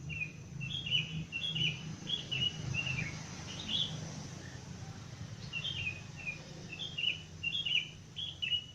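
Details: Dawn chorus of wild birds at 5 am, sky still somewhat dark: rapid high chirps and short whistled phrases in clusters, some falling in pitch, over a constant low hum of ambient noise.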